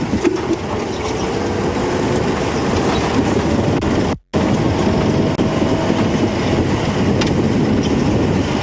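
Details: A loud, steady vehicle rumble with broadband road noise and a brief cut to silence midway; no animal voice is heard.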